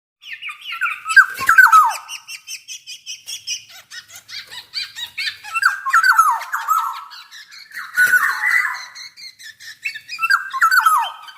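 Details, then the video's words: Black-naped oriole of the Javan form in vigorous song: rich fluting whistles that slide downward in short phrases every few seconds, mixed with thin scratchy high chatter between phrases. "Burung kepodang jawa gacor"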